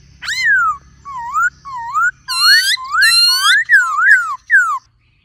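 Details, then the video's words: Black-throated laughingthrush singing in many voices alongside a calling female: a run of clear slurred whistles, each rising and falling or dipping in a U shape, about a dozen notes over five seconds with short gaps. "Khướu Hót Nhiều Giọng Kèm Khướu Mái Rò"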